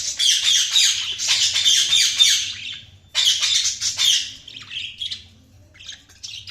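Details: Noisy budgie chatter: a long, continuous stretch of harsh, buzzy warbling, a brief pause near three seconds, then more warbling that thins into scattered chirps.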